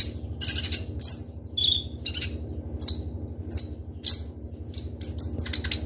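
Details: Ninja sunbird (konin) in energetic song, used as a lure and master for training other birds: sharp high whistled notes and dense buzzy bursts in quick succession, with a low steady hum beneath.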